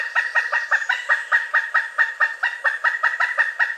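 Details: Pileated woodpecker calling with a slightly uneven string of strong, nasal kuk notes, a little over two per second, clean and unaccompanied.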